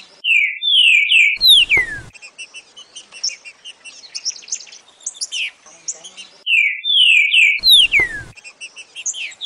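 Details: Green-winged saltator (Saltator similis), song.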